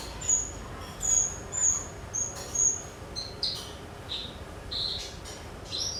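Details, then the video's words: Javan bush lark singing on a training recording for other birds: very high thin whistles drawn out in a row, followed by lower sharp chirps and short trills. "MASTERAN BRANJANGAN BIKIN SEMUA JENIS BURUNG BUKA PARUH"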